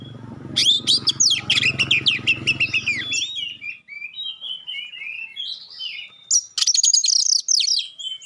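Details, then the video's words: Magpie-robin pouring out sharp 'shooting' notes and clear whistles to draw responses from other magpie-robins: dense high chattering over a low hum for three seconds, softer whistled phrases, then another burst of rapid piercing notes. "suara tembakan tajam juga suara jernih bikin kacer lain langsung respon"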